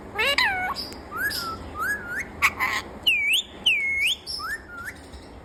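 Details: A talking parrot gives a quick run of varied whistled and voice-like notes. Some are rising slurs, some are U-shaped swoops, and one brief squeak falls between them. The run is steady and near, with faint background hiss.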